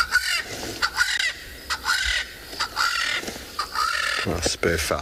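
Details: On a morning safari drive in a South African game reserve on 18 February 2021, a spurfowl gives loud, harsh, grating calls in ragged bursts about once a second, with a person speaking faintly between them.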